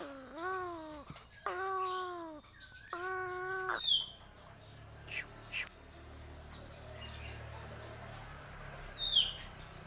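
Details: Crow giving strange sounds: three drawn-out, whining, tonal calls with rich harmonics in the first four seconds, each slightly arched, followed by quieter background rustles and faint distant chirps.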